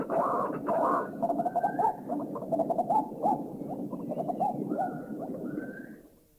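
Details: White-breasted waterhen giving a dense, rapid run of harsh, croaking notes, with a few thin rising whistles from other birds in the background; recorded in a Thai national park (Khao Yai, Doi Intanon, Doi Suthep-Pui or Chae Son).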